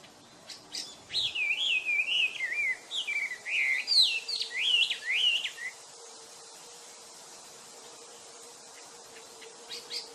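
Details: A wild mountain tailorbird in full voice gives a burst of high wavering whistles that climb and dip over about five seconds, then stops; a steady low hum continues beneath.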